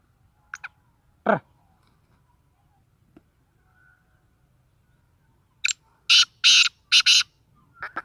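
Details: Black francolin (kala teetar) call: a few brief scratchy notes and one rising note, then after a pause a loud rasping series of four coarse, buzzy bursts in quick succession, followed by fainter clicks, in otherwise quiet surroundings.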